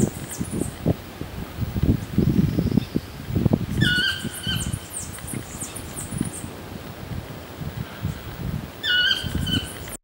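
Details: Black-mandibled toucan (Ramphastos ambiguus) singing in a tree outside Corcovado National Park, Costa Rica: two bursts of ringing, yelping notes several seconds apart, over thin high chirps from other birds and low rustling.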